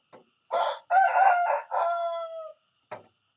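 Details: Rooster crowing in the morning: a soft note, then a loud harsh multi-part cock-a-doodle-doo whose final syllable is drawn out and steady, followed by a short sharp knock.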